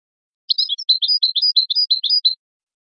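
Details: A short goldfinch phrase of roughly fifteen crisp, rapid twittering notes lasting about two seconds, high and tinkling, in silence. From a recording made for teaching chicks and songbirds.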